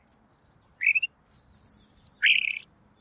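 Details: Robin with a clear voice, a tutor recording for songbirds: a few separate notes, a rising whistle, a high double-toned slurred phrase and a lower buzzy warble, in quiet surroundings.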